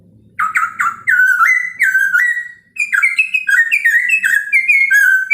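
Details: Chinese hwamei in morning song intended to provoke rival birds: rapid sequences of bright whistles with sharp attacks, dropping and rising notes strung together, one brief pause midway, then a faster, higher run.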